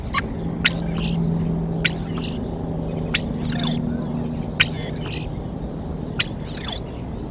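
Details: Bald eagle at the nest in early morning, Decorah, 23 February 2021: high, thin chittering calls with sharp descending whistled sweeps, about five bursts in seven seconds, over a steady low hum.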